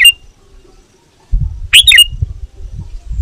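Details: Sooty-headed bulbul call aimed at rivals and used to attract wild birds: one full bright chattering phrase with a whistled ending, the tail of another at the start, and low rumbling noise.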